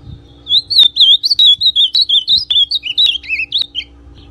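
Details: Ultramarine grosbeak (azulão pardo) song used to excite and warm up another male: a run of rich, warbled whistled notes around one pitch, about a dozen phrases in quick succession with slight rises and falls, over a faint steady hum.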